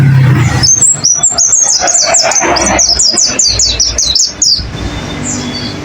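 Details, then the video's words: Pleci song used as a training recording for caged birds: a fast run of high, thin, sharply rising and falling chirps, about two per second, over loud rumbling background noise, ending in a fainter trailing note. "Masteran pleci, dengarkan suara ini pasti plecimu langsung gacor"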